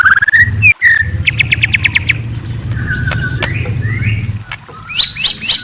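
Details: Night-time white-rumped shama: a rising whistle and a quick chirping trill, then scattered softer slurred notes and a final cluster of bright high chirps, against a low background hum.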